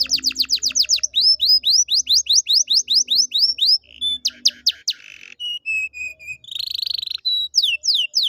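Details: Canary song played as a lure to get a quiet canary singing again: fast series of rising whistled sweeps, then high trills, a buzzy roll and steady whistled notes, loud and continuous.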